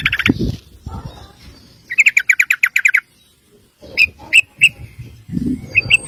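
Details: Sooty-headed bulbul song from a master recording meant to train other birds: a fast burst of sharp repeated chirps, a pause, then spaced emphatic notes over low background noise.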